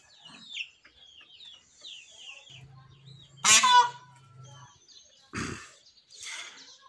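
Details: Early-morning scream of a frightened captive peacock: a single loud, harmonic-rich shriek about half a second long, preceded by chirping small birds and followed by a brief rough noise burst.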